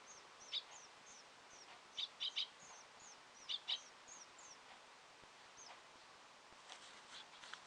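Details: Sparrows in a ventilation fan in Japan on 2 May 2015: thin high chirps repeat irregularly, some in quick pairs or triplets, over a faint steady hiss.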